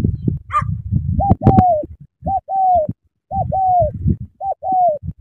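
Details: Spotted dove from Cà Mau, Vietnam, giving four clear two-note coos about a second apart, a brief rising lead note then a longer, smooth, falling coo, over low rustling and thumping.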